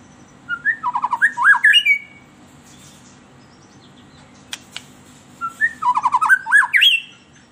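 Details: White-rumped shama song used as a lure for captive birds: two bursts of rapid whistled and warbled notes, rising and falling, separated by a quiet gap with a few sharp clicks.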